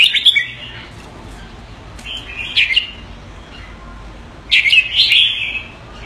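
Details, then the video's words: Red-whiskered bulbul kept as a pet in Singapore calling keke on command: a short chatter, then two more scratchy bursts near the middle and end, with low room noise between. "Jambul - สิงคโปร์เลี้ยง นกหัวจุก Mickey (keke on command) (Singapore)"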